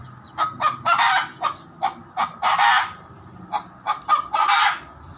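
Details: Loud chicken noises: harsh, broadband squawking bursts, several long and strained with shorter clipped notes between, coming in irregular runs of about three calls.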